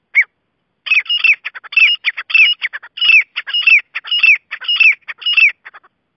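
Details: Grey francolin calling: a loud, rapid run of sharp, ringing notes, each with a whistled rise and fall, repeated about twice a second in a steady chattering sequence after a single opening note.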